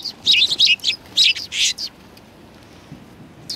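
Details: At a Tenmangu shrine on 7 February 2020, sparrows coming to be fed chirp rapidly in a lively cluster for under two seconds, then fall quiet before one more chirp.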